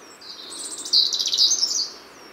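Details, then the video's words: A European robin in Poland sings one high, thin phrase of rapid twittering and tinkling notes lasting about a second, with faint wispy notes before it. "Rudzika najłatwiej można zobaczyć śpiewającego wczesną wiosną, zanim gałęzie drzew pokryją się liśćmi."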